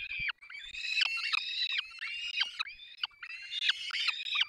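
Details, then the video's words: Nestling peregrine falcons in Dolina Baryczy, 3 May 2024, calling as the adult pair feeds them: a run of loud rasping screams, each bending down at the end, overlapping closely with almost no pause. "karmią pisklaki 3 05 2024 sokoły wędrowne"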